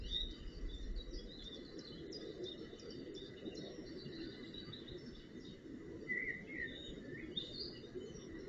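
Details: Nestling northern goshawk being fed at the nest on 25 June 2018: a brief pair of thin whistled notes late on, after a stretch of busy high songbird chirping over a low, steady rumble.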